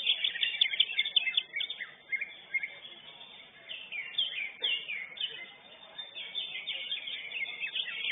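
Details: Winning lesser green leafbird in a songbird contest produces sharp, downslurred high notes and rapid twittering bursts, quieter in the middle before picking up again. Competing birds call nearby.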